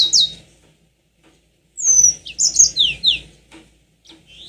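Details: A yellow-fronted canary sings in a lure recording aimed at provoking long rolling song. Short high whistled notes sound, then after a pause a jumbled phrase of descending slurs and sharp chips follows, with faint low hum underneath.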